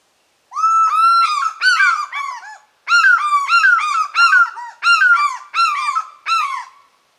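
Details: African fish eagle calling in a clear, plaintive series: a long opening wail, then quick falling yelps in two runs, about eight to ten notes in all, bright and harmonic against complete quiet.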